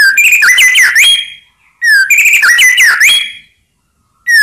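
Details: White-rumped shama song used to trigger rival birds: two rich warbled phrases of sliding, looping whistles, each about a second and a half long, separated by a short pause.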